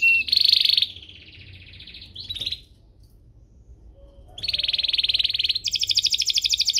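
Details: Canary singing a master song for young birds to learn, with buzzy high trills broken by short pauses, then rapid repeated notes climbing to a very high pulsed trill.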